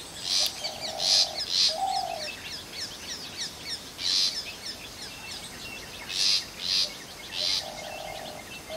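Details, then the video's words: Long-tailed shrike call: harsh, rasping bursts at irregular intervals, mixed with a few short, low, steady whistled notes, over constant faint chirping from other birds. "Long Tailed Shrike Call"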